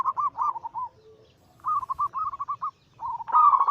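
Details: Anggungan song of zebra doves, Bangkok local crossed with cemani katuranggan silver, from a group recording used to stir caged doves into singing. Rapid rolling coo phrases in three bursts, separated by short quiet gaps.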